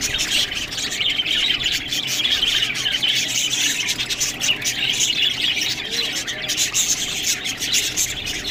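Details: Several budgies feeding on green food keep up a busy high warbling and squawky chirping without pause, mixed with crisp clicks and rustles.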